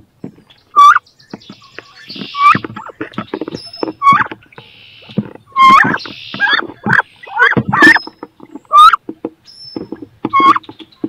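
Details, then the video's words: Wood duck females battling over a nest box, each wanting to lay and incubate there; repeated squealing, upslurred calls in irregular bursts mixed with scraping and knocking sounds. "CANARD BRANCHU (Carolin) 2 FEMELLES VEULENT PONDRE DANS CE NICHOIR / MOMENTS FORTS / CRIS"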